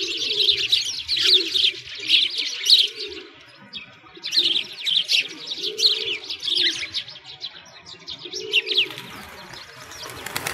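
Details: Sparrows chirp constantly in dense overlapping chatter on a winter walk around a frozen lake in a Moscow park, with pigeons cooing low and steadily beneath about once a second; finding: sparrow.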